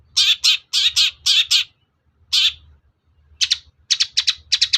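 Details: Long-tailed shrike bait sound, meant to anger listening shrikes and make them reply: loud rasping notes in pairs, a pause, then a quick stuttering run of shorter scratchy calls.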